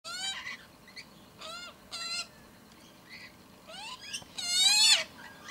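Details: An infant Australian magpie, heard nearby for weeks and being shown a feeding spot by its adult minders, gives nasal, rising begging squawks in short bursts about once a second, building to a louder, harsher final call.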